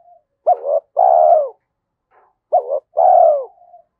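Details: Spotted dove in the thổ cooing style, a voice suited to the forest for luring when setting traps. Two identical phrases sound two seconds apart, each a short abrupt note followed by a long, steady, slightly falling hollow coo, against silence.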